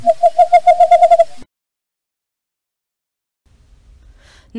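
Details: Western Screech-Owl in Idaho, a nocturnal cavity or nest-box nester, giving a quick run of about ten short, hollow, mid-pitched toots in under a second and a half, then silence and a faint low rumble.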